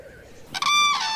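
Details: Common crane on a Central European moor breeding ground, where pairs perform courtship displays, gives one loud, brassy trumpeting note lasting under a second, steady in pitch and sagging slightly at the end, after a brief quiet lead-in.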